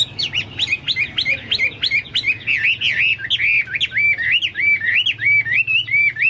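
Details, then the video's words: Chinese hwamei singing briskly, its song said to resemble cucak Papua or cucak mas: a steady stream of bright whistled notes, first varied and tumbling, then settling into repeated rising-falling phrases, with a soft low hum behind. "burung hoa mi seperti cucak Papua atau cucak mas gacor"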